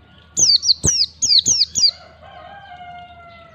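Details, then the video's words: Pleci (white-eye) phrase used to train young birds: five crisp, high, falling whistled notes in about one and a half seconds, followed by a drawn-out descending crow from a distant rooster. "pancingan pleci belajar ngalas 1 2 3 ketukan"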